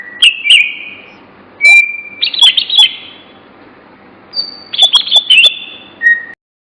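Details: Singing bird delivering loud whistled phrases, long flat notes and sharp clicking accents in two bursts separated by a brief pause, close and clean.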